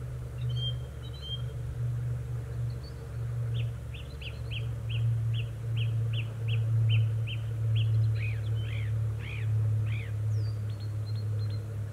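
A song thrush repeats one sharp, bright note about ten times in quick succession, then shifts to slurred, whistled phrases, all over a steady low rumble.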